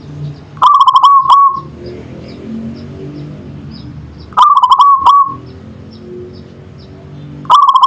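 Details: Natural manggung singing by a local zebra dove: three stuttering coo phrases roughly four seconds apart, each closing on a sustained note, with faint high ticks and low rumble in between.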